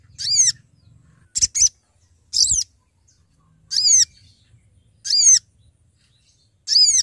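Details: Male Sooty-headed bulbul calling to companions, used to lure birds: short harmonic arched notes repeated roughly every one to one and a half seconds, with a couple of clipped double notes early on.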